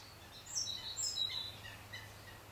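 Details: European goldfinch at the Harchies marsh in Belgium in February 2011, giving quick, thin, high twittering notes clustered in the first second and a half, then softer scattered chirps over a steady low hum.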